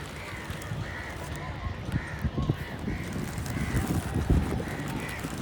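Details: Crows cawing loudly: short harsh caws repeated about twice a second over a steady low rumble of background noise.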